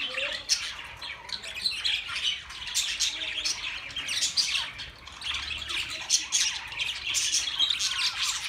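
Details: A group of budgerigars keeps up a dense, continuous twittering: warbled chirps, short squeaks and rasping notes overlapping without pause.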